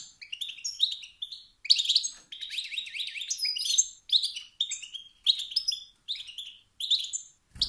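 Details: Male wild European goldfinch giving motivating 'sit-sit' and 'bit-bit' calls that stir rival males to sing and compete for dominance; bright twittering bursts in quick runs with short pauses between them.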